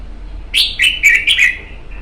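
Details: Red-whiskered bulbul in a cage one month after capture: a short, loud, bubbling phrase of about five quick, bright notes, tapering off into quiet.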